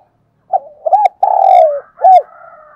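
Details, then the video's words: Decoy spotted dove, used to get young birds singing: short arched coos, a long buzzy descending coo, then a final arched note with a faint second cooing bird behind. "Tiếng chim cu gáy kích bổi nhanh nổi hiệu quả, cu gáy mồi luyện bổi nhanh gáy và hay nhất"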